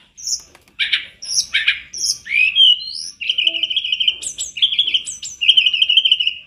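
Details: Master recording of tledekan gunung for training birds, the bird singing with full fill notes: separate chirps and rising whistles, then long steady warbled trills broken by high sharp notes.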